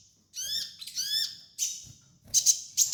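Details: Training master song of a sunbird (kolibri ninja): two strong harmonic notes that sweep down, then a thin high whistle and sharp ticking chirps.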